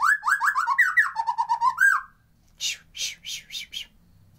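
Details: Song of a white-rumped shama, played unaltered as a lure to rouse lazy birds into song: a fast tumble of rising slurred whistles dropping into a lower trill, then a break and five harsh, scratchy notes about three per second.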